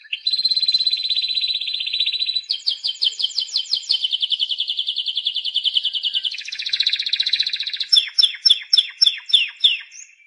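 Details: Timbrado canary song: a long sequence of rapid rolling trills, each phrase changing speed and pitch, ending in a set of slower, distinct repeated notes.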